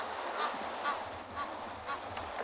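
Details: Egyptian goose with goslings on a surf-beaten beach on 1 May 2022, possibly calling for its absent partner (the male had disappeared): short, hoarse honks about twice a second, steady and repeated, over a hiss of surf or wind.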